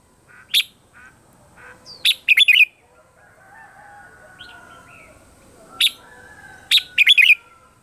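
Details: Red-whiskered bulbul singing in the morning, used as a voice-training and decoy recording: short bright chirped phrases, some in quick clusters of three or four notes, separated by pauses of several seconds, over a faint steady background tone.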